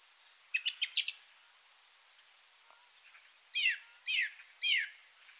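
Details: Song thrush song played back, shriller and more strident than a blackbird's, repeating short phrases: a burst of four quick high notes and a short buzz, a pause, then three loud downslurred whistles repeated about half a second apart.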